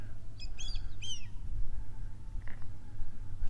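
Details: A flying Cuban Black Hawk at a Cuban mangrove wetland gives three quick, high, squealing notes that slur downward, over a steady low rumble of wind or traffic.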